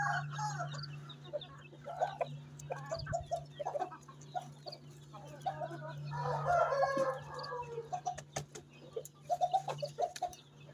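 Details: [2, 'likely', 'crow', 'Asil Rampuri rooster on a farm in Chihuahua, Mexico, giving a harsh, drawn-out crow near the middle, surrounded by short repeated clucks from fowl and a steady low electrical hum.']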